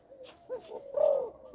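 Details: Young spotted dove of a Malaysian line, kept caged and tested before sale, giving a brief low hollow coo that swells and holds steady near its end, with faint clatter in the background.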